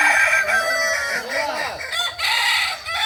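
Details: Kokok Balenggek roosters in crowing training at Ampang Kualo, Solok. Loud bright crows layer together with rising-and-falling note arcs and short gaps between bursts.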